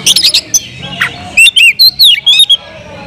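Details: Oriental magpie-robin singing loudly to provoke other magpie-robins: a rapid burst of sharp high chirps, then a run of clear, slurred whistled notes rising and falling, each separated by short pauses.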